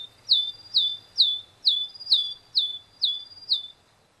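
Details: Male Tristram's bunting giving a series of eight high, sharp downslurred chirps, about two per second, evenly spaced, then falling silent; quiet background otherwise.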